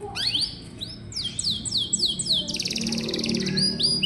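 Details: Canary singing as training material for young canaries and other birds. Loud descending slurred whistles repeat rapidly, then break into a dense, buzzing high trill with scattered chirps.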